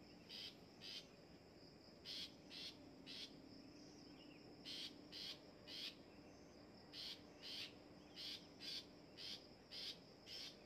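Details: Long-tailed shrike being trained to sing, uttering harsh, scraping notes in groups of two to four, about two per second, separated by short gaps over a steady hiss.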